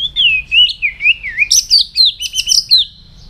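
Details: Morning voice-training song of a white-rumped shama, with looping whistles that dip and rise, then a burst of rapid, tinkling high notes stacked over clear whistles, fading at the end.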